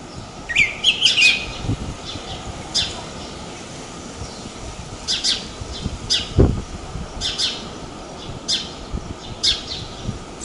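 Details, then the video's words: House sparrows at Praia de Pipa, Tibau do Sul, Rio Grande do Norte, Brazil, give short, bright chirps in loose bursts every second or two, over a low background rumble. "SOM DO PARDAL, CANTO DE PARDAIS"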